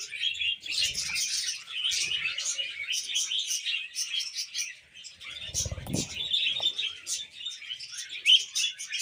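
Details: Caged-pet budgerigar couple warbling on a hand, rambling chatter of grating, buzzy notes mixed with brief chirps, a low rustle or bump around the middle.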